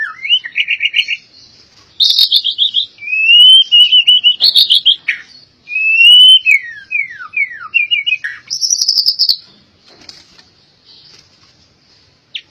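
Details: Albino white-rumped shama in rich song: bursts of fast trills alternate with clear sweeping whistles that rise and fall, separated by short pauses, with sharp clicks between phrases.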